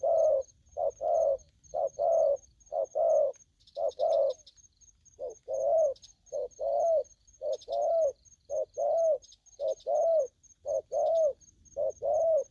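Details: Spotted dove in aggressive mood cooing in a fast run of short, even notes, several per second at first, then rounded coos rising slightly, with a faint high repeated tick and brief scratchy noises.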